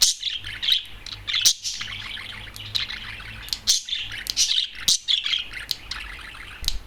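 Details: A single loud adult male budgerigar, out of its cage atop a television, chatters continuously with high chirps, squeaks and clicking notes in quick irregular phrases separated by brief pauses.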